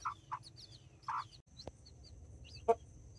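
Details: Backyard hens with nine chicks, mini and Brahma, in Colombia: three quick clucks in the first second, then a pause and a sharp click, with faint high chick peeps throughout.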